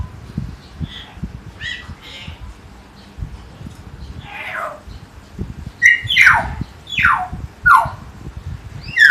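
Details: Loud, vigorous calling from a caged common hill myna in Jatiasih, Bekasi: soft scattered chirps at first, then a run of harsh, downward-sweeping whistled notes about one per second, over low background noise.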